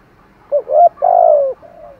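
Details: Lure spotted dove cooing in the trained Vietnamese calling style meant to provoke wild doves: a brief note, a rising coo, then a long drawn-out coo and a softer trailing note.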